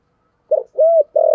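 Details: Spotted dove in thổ sấm voice: a short throaty note, one arched low coo, then a sustained deep coo that is cut off, in a quiet setting.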